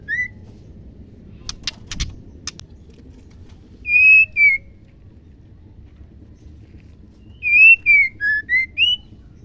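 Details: Female white-rumped shama calling, used to stimulate male shamas into song: loud pure whistled notes, steady or gently falling, given in a short group and then a longer run of five, with sharp clicking sounds earlier.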